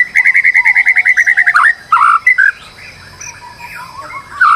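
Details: Stressed white-rumped shama singing as a lure to prompt another bird to sing: a fast even series of about a dozen repeated chirps, followed by scratchy notes and softer varied phrases.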